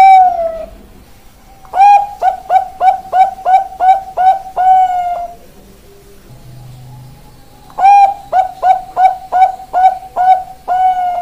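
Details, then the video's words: Zebra dove of the Bangkok strain, ringed, with a big, long voice: two cooing phrases of rapid short coos ending in a longer drawn note, separated by a quiet pause with a faint low hum. "Perkutut Bangkok Ring 414, 337, 454 Suara besar, panjang, lelah"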